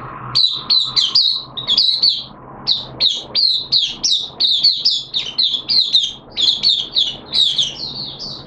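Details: Caged oriental white-eye, known as Mata Puteh, singing 'buka sing' on the second day of its monthly deworming, 13 September 2022: an almost unbroken stream of rapid, high, sharply slurred chirps in pulsing phrases.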